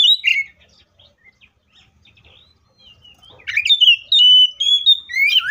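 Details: Oriental magpie-robin singing a loud, varied fighting song, played as a lure for other magpie-robins. An opening whistled phrase and a long lull lead into a dense stream of sliding whistles and chips.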